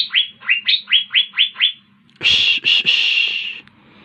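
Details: Asian fairy-bluebird singing: a run of seven rising, liquid whistled notes in quick succession, then after a pause three loud harsh buzzy bursts.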